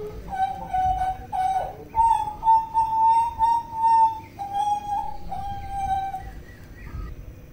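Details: Butcherbird from Papua singing a string of clear, fluty whistled notes, mostly steady in pitch with slight rises and falls, some held for over a second, delivered with short gaps between them.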